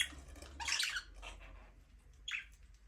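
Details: Budgies in an aviary, singing and playing: a loud scratchy burst of chatter, then a softer chirp and one short rising squawk, with a faint steady hum underneath.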